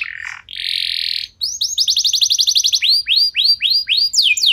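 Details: Canary song played to set other canaries singing: a buzzy low phrase, a sustained rattling trill near the top, then fast runs of rising-falling whistled notes at about four per second, ending in high downslurred notes.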